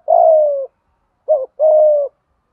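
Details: Urging 'thúc gù' coo of a spotted dove, a lure for training newly caught or stubborn captive birds to call: a long low falling coo, a short pause, then a wavering double note and another steady drawn-out coo.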